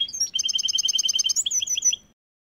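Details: Goldfinch x canary hybrid, kept in a cage during winter, delivers a quick trill of evenly spaced bright double-pitched notes, then a few looser twittering phrases.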